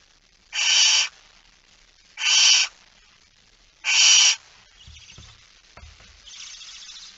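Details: At 06:11 on 17 September 2019, a barn owl holding a mouse gives three evenly spaced rasping hisses roughly 1.5 seconds apart, followed by soft rustles and fainter noise.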